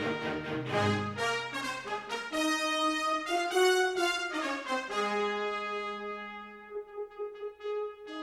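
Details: Brass fanfare of trumpet, horn and trombone playing rising phrases, then fading to sustained notes; no animal voices.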